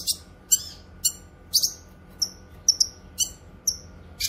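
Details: Cucak kinoy calling, offered for song training and luring wild birds: evenly spaced sharp high chirps about every half second, several with a brief falling tail, over a faint constant hum.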